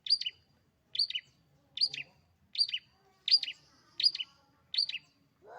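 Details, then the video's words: Pet long-tailed shrike singing busily, repeating a crisp two-part chirp, high then slightly lower, about every three quarters of a second with silence between. "cendet burung cendet gacor cendet kesayangan"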